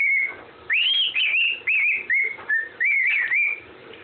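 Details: A parrot's whistled Andy Griffin tune opens with a held note, then a high looping warble followed by wavy, descending and rising whistled phrases.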